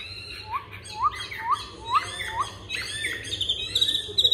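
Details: A caged Chinese hwamei, new today, turns its rump as it sings: a series of short upward-sweeping whistles about every half second, then higher, faster trilled notes.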